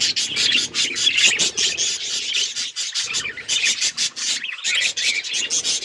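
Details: Budgies chattering in fast, rasping bursts of high notes, nearly continuous, with a short gap in the middle before the chatter resumes.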